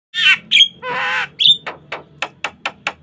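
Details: Javan myna (jalak kebo) in energetic gacor singing, pumping with full variation, used as a lure and master recording to train other starlings; harsh rasping squawks and sharp whistled notes, then a run of six short clicky notes about every quarter second.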